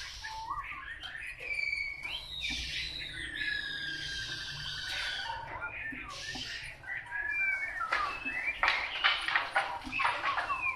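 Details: Wild-caught Chinese hwamei delivering a varied whistled song: long sweeping slurs and sustained tones, then a busier stretch of sharp, rapid notes toward the end.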